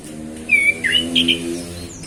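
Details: A male orange-headed thrush gives its relaxed afternoon 'ngeplong' song, used for prompting other birds: a steady whistled note, then a dipping warble and two short bright notes over a faint low hum.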